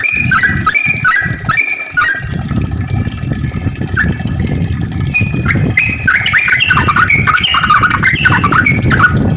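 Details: Yellow-vented bulbul in a long, active rapid-fire song used to lure other bulbuls into singing: bubbly, slurred whistled phrases that rise and drop, given in quick runs over a steady low rumble.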